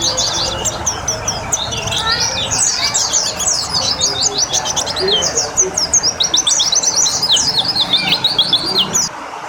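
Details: White-eye under water therapy: busy, continuous high twittering of quick chirped notes over a steady wash of water.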